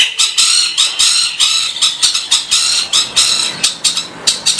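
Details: Harsh 'tembakan' fill phrases of a songbird, compiled as master material for training competition birds: short raspy bursts and grating notes repeated roughly every half second, bright and high-pitched.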